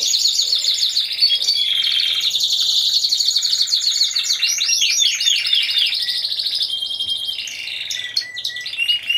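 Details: Timbrado Español song canaries competing as a four-bird team, category C1, at a judged singing contest on 25 November 2015. Loud, unbroken rolling trills shift between rapid metallic rattles and sweeping repeated notes, fading into scattered short whistles.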